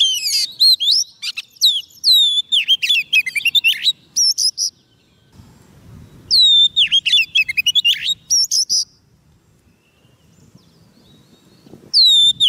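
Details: Song of a White-rumped shama calling wild birds: repeated phrases of rich whistles, falling slurs and quick chattering trills, pausing for a few seconds between bursts, with faint low background rumble.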